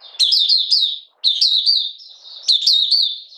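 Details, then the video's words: Oriental white-eye from Malaysia, a kept bird in light moult, singing in the open 'buka sing' style: three bright, high, rapid twittering bursts, each about a second long, separated by short silences. "Malaysian Mata Puteh Buka Sing"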